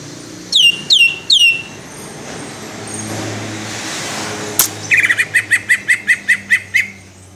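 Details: Cucak ijo in the Cililin 'tembakan' singing style: three loud downslurred whistles, a pause with background hum and a sharp click, then a quick series of about ten short, evenly spaced chipping notes.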